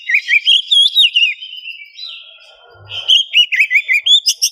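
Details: Oriental magpie-robin, a female in heat calling a male, used as a morning lure: rapid warbling phrases of looping, bouncing whistled notes, a brief pause with faint noise, then another quick twittering run.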